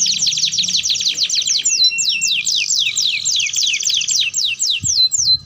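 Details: Canary song meant to teach other canaries to sing: quick chattering rolls of falling notes, around three per second in slower passages, ending with a few drawn-out whistles and a soft knock.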